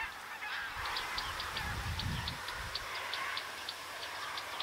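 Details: Bearded reedling calls: short, high metallic pings repeated rapidly in irregular series, several birds overlapping, over a steady hiss of wind or reeds and low rumbling gusts.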